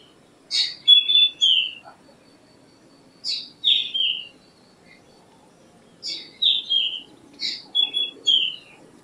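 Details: Black drongo phrases: each is a rasping burst followed by two or three clear, falling ringing notes, given four times with short pauses in between.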